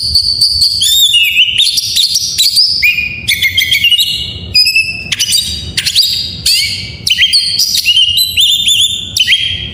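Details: Oriental magpie-robin pouring out a full isian song that prompts lazy magpie-robins to sing: a nonstop medley of sweet whistles, scratchy notes, sharp chips and swooping slurs, densely packed and varied.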